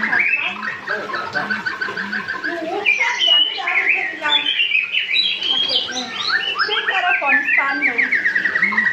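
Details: Young white-rumped shama learning to sing, already singing freely: a dense, fast stream of varied chirps, trills and short whistled notes, mostly high-pitched and almost continuous, with low voice-like sounds in the background.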